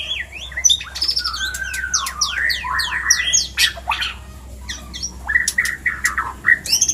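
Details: White-rumped shama giving mating calls used to stimulate breeding: rapid, varied whistles and sharp high squeaks, with rising and falling notes, clicks and buzzy bursts over a steady low hum.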